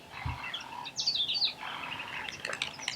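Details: Meyer's parrots at a waterhole in Botswana, southern Africa: a short burst of shrill, squeaky, rising and falling high-pitched notes, with scattered softer chirps and faint low rumbles in the background.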